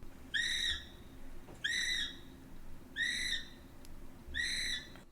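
A kiwi gives four shrill, screechy whistled calls rich in overtones, spaced about every second and a half, over a faint low hum.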